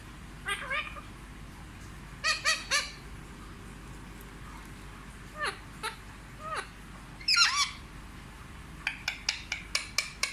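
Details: Pet Indian ringneck parakeet, a talking parrot raised with affection, said to speak Hindi words like 'mummy' and 'papa'. Scattered harmonic, speech-like bursts and sliding notes, then a quick run of six short sharp chirps near the end over a quiet indoor hiss.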